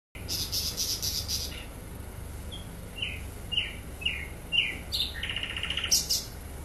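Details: Flycatcher, sikatan londo, singing actively: a series of short whistled notes with falling slurs, ending in a rapid trilled burst, over a low background hum.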